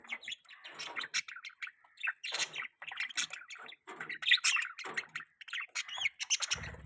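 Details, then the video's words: Pet budgerigar during mating, giving a varied stream of chirps, squeaks and scratchy warbled notes in irregular bursts, some clear rising whistles among them. "budgie chirping sound|budgie mating sounds"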